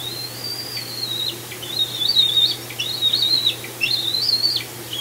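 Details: Bald eagles at the Decorah nest on 18 June 2020, around the fledging of an eaglet: thin high piping calls in short wavering strings, repeated several times, over a steady low hum.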